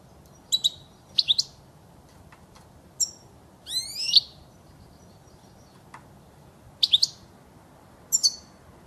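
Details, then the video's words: European goldfinch singing, recorded for teaching chicks to sing: scattered bursts of high twittering notes and sweeping buzzy slurs, with short pauses between phrases and faint clicks in the background. "صوت الحسون الاصلي خالي من الاخطاء لتسميع الحسون وتعليم الفراخ"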